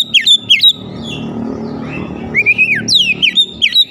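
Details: White-rumped shama lure song to trigger other shamas: sharp falling whistles at both ends over a steady low background hum, with a rising whistled phrase in the middle.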